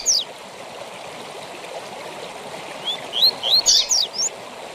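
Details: Double-collared seedeater in the tui tui zel zel style used to teach caged birds: one high sweep at the start, then after a pause a short run of rising whistles and scratchy notes, with continuous hiss behind.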